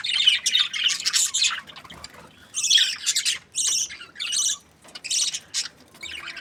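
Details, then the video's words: Happy budgies from breeding pairs warbling in separate bursts about a second long, each a fast run of squeaky, buzzy high chirps, separated by short quiet gaps. "Happy budgie chirping sounds | breeding pairs"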